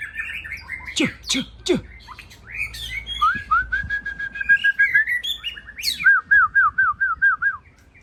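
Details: Evening song of a white-rumped shama from Aceh, opening with sharp whistled sweeps and clicks, then a fast run of repeated clear, lilting whistled notes rolling steadily, ending in a rhythmic series of bouncing notes.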